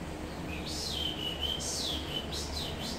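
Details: Black-throated laughingthrush (poksay mandarin), a recording used to train other songbirds, singing clear whistled phrases: a long level note, then rising and falling arched whistles, over a steady low background hum.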